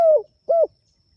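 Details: Spotted dove calling to its companions: two low, mellow coos, the first long and gently falling, the second shorter and arched, with a brief pause between them in an otherwise quiet setting.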